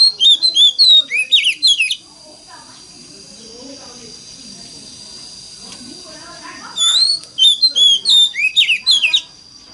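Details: Oriental magpie-robin (Copsychus saularis), song: prompting other magpie-robins to sing.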